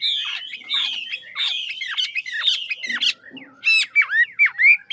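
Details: Singing Chinese hwamei of the ngũ trường type from Lạng Sơn: rapid series of harsh, squawky downslurred notes repeated several times a second, then a pause and a run of clear, loud swooping whistles.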